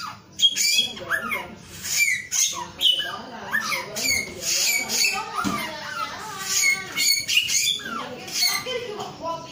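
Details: Male Chinese Hwamei in full song, a dense, restless stream of varied notes: sharp rising and falling whistles mixed with harsh, scratchy bursts, with hardly a pause over nine seconds.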